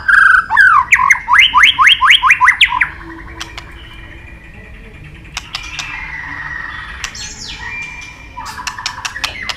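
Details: Murai batu (white-rumped shama) singing a mimicked phrase: a fast rhythmic run of about ten rising chirps, then quieter scattered clicks and faint warbling notes after a near-silent pause.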